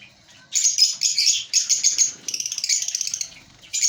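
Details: After a half-second hush, African lovebirds from a breeding colony burst into rapid, squeaky chirps, ending in fast stuttering twitters.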